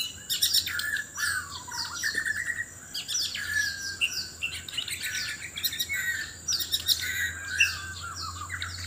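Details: ['White-rumped shama from Sabah, Borneo, seeking a mate in a loud singing contest: rich, varied whistled phrases with sliding notes and quick chattering runs, nearly unbroken, over a steady high thin whine.']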